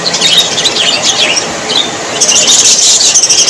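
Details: Parrots calling: shrill, squealing high notes in quick overlapping bursts, building halfway through into a dense, continuous screeching chorus of many birds with no other clear sounds.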